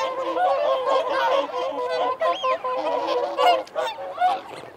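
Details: Whooper swans keep up steady nasal honking during feeding and territorial calling, a thick chorus with a higher, arching whistled note rising above it midway.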